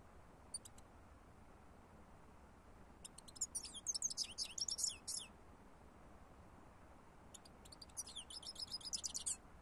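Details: Lure recording of a European goldfinch singing: brief high call notes, then two bursts of rapid, liquid twittering and jingling phrases, each a couple of seconds long, with a quiet gap between them.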